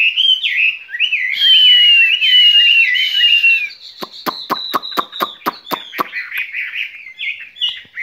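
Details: Caged skylark delivering spring song: dense, bright warbling with a sustained whistle, giving way to rapid, dry clicks and then softer twittered phrases.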